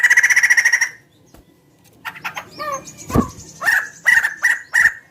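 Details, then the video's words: Large-bodied bird, described as having a distinctive voice resembling a chicken's: a rapid, harmonic, rattling burst of pulsed notes that stops abruptly, followed by scattered down-slurred notes and quick staccato bursts. "Suara burung gacor paling membagongkan"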